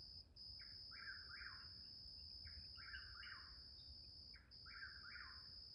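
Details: Chuck-will's-widow calling at midnight: three quick, rhythmic whistled phrases, each a short note followed by two longer slurred notes, repeated about every two seconds, over a steady high insect drone.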